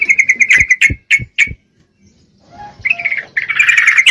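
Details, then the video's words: Calling a male, a breeding-condition female Yellow-vented Bulbul gives a fast rattling chatter, then several spaced sharp notes, a pause, and a rising dense bubbling trill to the end. "Trucuk Betina Memangil jantan, full Birahi"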